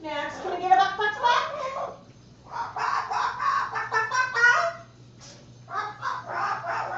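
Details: Pet Moluccan cockatoo indoors, vocalising in a laughing, barking and talking session; three bursts of loud, harsh, chattering harmonic calls, each about one to two seconds long, separated by short pauses.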